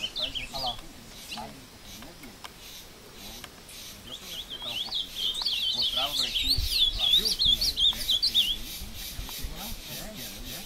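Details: Ultramarine grosbeak from a breeder, brought into the woods near Passos, Minas Gerais, Brazil, singing in a fight with a free wild bird; a long, fast, high twittering warble runs several seconds over rustling noise.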